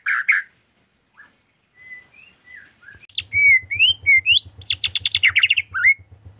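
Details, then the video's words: White-rumped shama in full, nonstop song: a few scattered whistles, then a rapid run of rising whistled notes and dense trills, over a steady low pulsing thump. "Murai Gacor Full Durasi"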